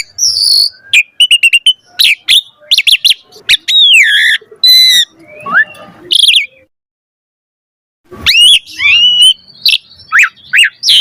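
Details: Asian pied starling song intended to coax other starlings into singing: bursts of clicking chatter, looping whistles and harsh notes, a pause of about one and a half seconds, then more whistled and grating phrases.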